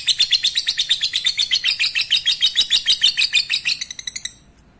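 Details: Continuous rapid chatter from a lovebird, played to arouse breeding desire; high, buzzy notes repeat quickly and evenly, then speed up slightly and fade into a final scratchy flutter before falling silent.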